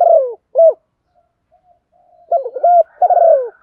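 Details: Spotted dove decoy bird cooing to call in wild doves: two phrases of low, throaty coos around mid pitch, each a short hooked note followed by a longer falling purr, separated by a pause.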